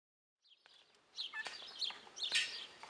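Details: Guineafowl giving a series of harsh, scratchy notes that start after a short silence and grow louder, the strongest bursts near the end.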